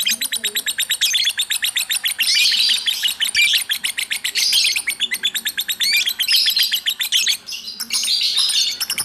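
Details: Hobby lovebird singing ngacor, nonstop: dense, rapid high chirps pouring out without a break, with occasional louder twittering swells over nine seconds.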